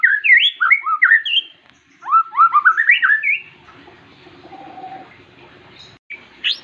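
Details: A champion white-rumped shama sings rich, fluty whistled phrases, quick rising and falling notes in two bursts, then trails into softer chatter over a faint background hiss.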